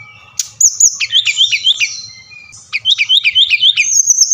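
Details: Brown-chested jungle flycatcher (Sikatan Rimba Dada Coklat, Bali type), a lure song for prompting reluctant birds to sing. A burst of sweet slurred whistles and quick chattering notes, a short pause, then a fast repeated series ending in a thin high whistle.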